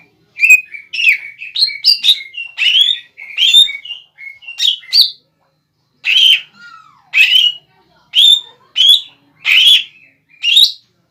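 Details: Greater green leafbird, an untrained bird in full voice, singing to provoke a rival leafbird into answering: rapid bursts of chattering, slurred whistles and sharp chips, in phrases of about half a second, with short pauses and one soft falling note near six seconds.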